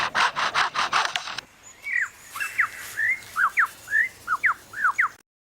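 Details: A male lyrebird copies a camera motor drive, a car alarm and forestry chainsaws: a run of harsh, buzzy pulsed bursts, then a quick string of clear whistled slurs, each dipping or rising, repeated about twice a second.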